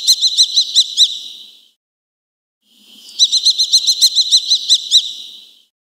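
A Eurasian kestrel gives two quick runs of sharp, high kee-kee-kee notes, about seven then ten, with a short pause between. Nothing else is heard.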